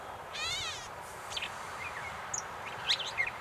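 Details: Gray catbird at North Tetagouche, New Brunswick: a single nasal, cat-like mew near the start, then scattered soft chirps and squeaky notes over a quiet background hiss.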